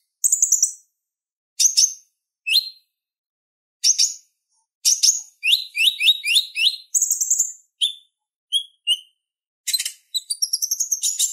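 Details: Purple-throated sunbird (konin) song for training other songbirds: scattered high buzzy chips, then a quick run of falling slurred notes, isolated lower chips, and a final rising rapid trill.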